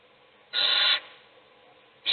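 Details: Owl in a nest box where an adult feeds one chick as its siblings sleep; a single rasping, breathy hiss lasting under half a second, with another beginning at the very end.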